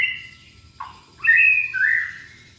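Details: Young white-rumped shama from Indonesia singing to encourage other shamas: short high whistle, a low dipping note, then two bright sustained whistled notes at different pitches.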